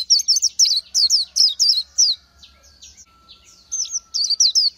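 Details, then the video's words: Wild Oriental white-eye song, quick run of high thin twisting whistles, then a softer pause of faint notes before the bright phrases resume near the end. "Chim hót hay Vành Khuyên họng vàng đông dương | นกแว่นตาขาวสีทอง| Oriental White-eye"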